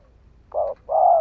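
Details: Spotted dove, a decoy bird, cooing to lure wild doves: one short note then a longer, slightly falling coo, over a quiet low hum.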